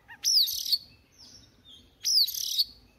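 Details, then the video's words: Morning voice-practice song from a newly caught Oriental magpie-robin: two loud rasping phrases with a sharp whistled downslide, a second apart, separated by thin high whistles. "Choè than bổi lên hót luyện giọng lên lửa mỗi sáng"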